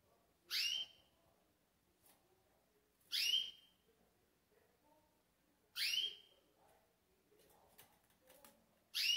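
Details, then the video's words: Green pintagol recorded at close range before going to sleep: loud, sharp, downslurred whistled calls, spaced about every two and a half seconds, with faint soft chatter between them. "GRAVANDO PINTAGOL ANTES DELES DORMIR"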